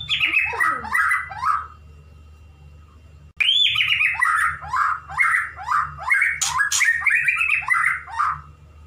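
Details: Pet male white-rumped shama courting a female. It sings bursts of quick, descending whistled notes, pauses, then gives a loud upslurred whistle and a long run of tumbling mellow phrases mixed with harsh chattering.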